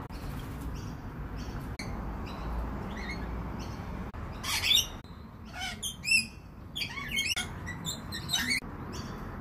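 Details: Lorikeets in the morning give harsh, grating screeches and shrill squeaks in irregular bursts, several close together, over a steady low rumble of background noise.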